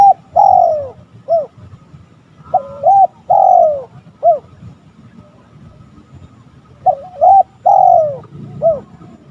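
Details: Spotted dove cooing to challenge rivals. Three phrases spaced by pauses, each a long downslurred coo and a brief end note, some with a wavering lead-in, over faint low background noise.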